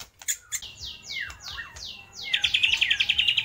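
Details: White-rumped shama singing a varied song that copies lovebird, kapas tembak and pijantung gunung: sharp clicks, a run of descending whistled slurs, then a fast rhythmic trill of bright notes.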